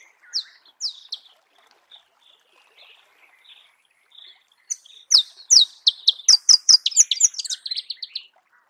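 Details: Marico sunbird singing in natural habitat: a few soft high chips, then after a pause a rapid, accelerating burst of sharp high twittering notes, bright and tumbling, ending in a buzzy jumble.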